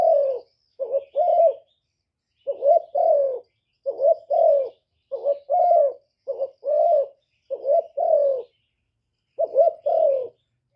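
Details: Spotted dove used as a lure for wild doves in Cà Mau, cooing in a near-continuous series. A short bubbling note and a longer low coo alternate repeatedly, with slight breathy overtones and no other sounds.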